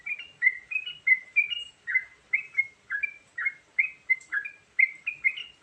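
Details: A yellow-vented bulbul gives varied luring song: clear, slurred two-part chirps, some rising and some dropping, repeated about twice a second in a steady chatter, with faint background hiss.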